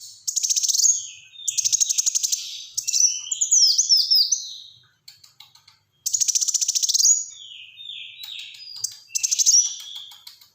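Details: Black-throated sunbird in full song, used to prompt and tutor other birds: harsh high trills, quick twittering chirps and downslurred whistles, delivered in bursts that repeat after short pauses.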